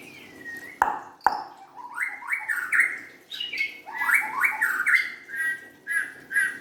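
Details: A white-rumped shama gives a long whistled note, then two sharp clicks, then repeated upward-sweeping whistled phrases, rich and varied, continuing steadily to the end.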